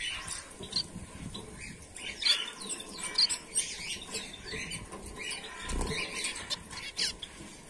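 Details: Bengalese finches, white birds, males and females together in a colony, giving a dense stream of short high chirps and tweets that overlap constantly, mixed with soft wing flapping and scuffling sounds throughout.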